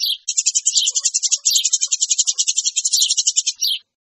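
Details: Eurasian tree sparrow lure, noisy: one unbroken, very fast chatter of high, scratchy chirps lasting about three and a half seconds.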